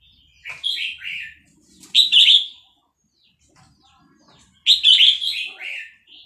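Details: Caged Vietnamese red-whiskered bulbul, excited by a played recording of hatched chicks, sings fast-linked phrases: three bright, warbled bursts, each about half a second long, separated by pauses of one to two seconds.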